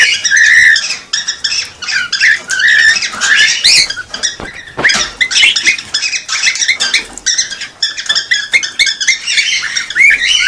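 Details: A group of cockatiels in a steady chatter meant to encourage breeding: busy high chirps, squeaky harmonic whistles and clicking notes, with bursts of overlapping calls and brief lulls over ten seconds.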